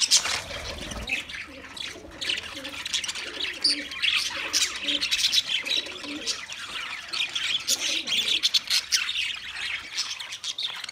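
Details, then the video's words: Budgerigar flock chatter: continuous rapid high twittering and harsh warbles, many birds overlapping, with faint low hooting notes underneath. "Wildlife Budgies Birds Nature Sounds"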